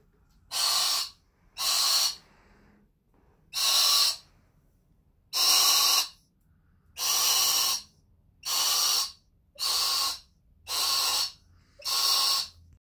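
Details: Pet male sulphur-crested cockatoo, indoors in a shop with its owner, suddenly gives nine breathy, hissing bursts about half a second long, repeated every second or so; did this for five minutes, not the first time, and the owner does not know why.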